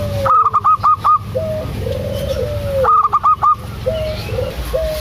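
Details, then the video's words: Local zebra dove (perkutut) call used to lure a quiet dove into calling: two bursts of rapid staccato pulsed coos, each followed by lower sliding, drawn-out notes, over a steady low hum and faint higher background chirps. "PANCINGAN AMPUH 💯 % UNTUK PERKUTUT MALAS BUNYI‼️ PERKUTUT LOKAL GACOR"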